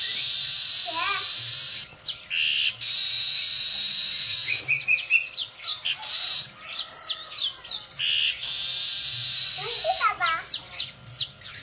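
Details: Lively singing weaver: long, steady, hissing buzz phrases alternate with bursts of crisp chattering and ticking notes, and faint speech is audible in the background.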